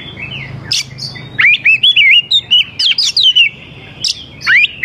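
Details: A vigorous oriental magpie-robin sings to entice young wild forest birds to join in. Rapid strings of short, bouncing whistles and trills are punctuated by loud harsh rasps, and the phrases are repeated several times in quick succession.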